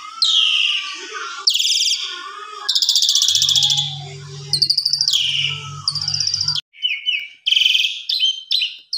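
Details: Asian pied starling in full-isian style singing in the evening to tutor other birds: a varied run of rasping bursts, whistled slurs and clicking trills, a low hum partway through, ending in sharp choppy notes.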